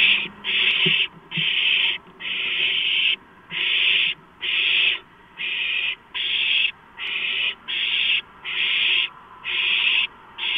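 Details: Owl chicks demanding food as a big rodent arrives, 23 March 2015. A regular run of raspy, hissing screeches, each lasting about half a second, repeats more than once a second.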